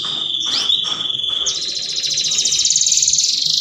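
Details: Canary singing to prompt mating: a steady high whistled tone with a couple of brief slurred notes, then a very fast, buzzy rolling trill that carries on without a break to the end.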